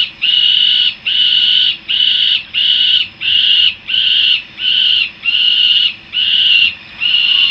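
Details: Ten loud, rasping, drawn-out wails follow one another at an even pace, roughly every three-quarters of a second, from young peregrine falcons returning to their nest in Harrisburg, USA.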